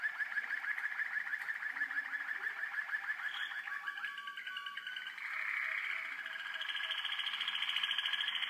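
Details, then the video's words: Young Waterslager (Malinois) canaries recorded in 2012, singing a continuous rolling, bubbling song of fast trilled notes, with brief clear whistled phrases in the middle and a steady warbling stream toward the end. "Jeunes malinois Waterslager 2012"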